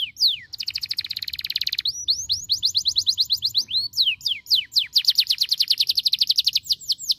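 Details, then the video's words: Canary song for training pet canaries at home to sing: a sharp falling note, a buzzy rapid trill, then long regular runs of quick high sweeping notes. "praticar o som de seus canários em casa, para que eles possam cantar diligentemente"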